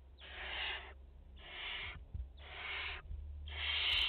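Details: At a French nest on 30 August 2021, barn owl mother and four chicks give four long, rough hissing screeches, each nearly a second, evenly spaced, the last loudest, over a low hum with soft knocks.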